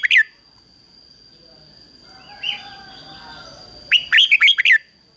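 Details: Caged decoy red-whiskered bulbul singing to lure wild bulbuls in to fight: a brief note, a faint phrase, then a loud burst of five quick warbled, bubbly notes near the end, over a steady high electronic-like whine.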